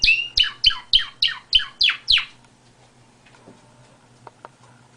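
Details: Canary giving a rapid series of seven descending, slurred whistled notes about three per second, followed by near silence with faint clicks.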